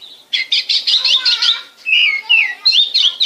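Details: Oriental magpie-robin from Bekasi singing a song used to get other birds singing: a rich, varied phrase of rapid harsh chattering notes, then clear gliding whistles and short, sweet warbled notes, with no other sounds.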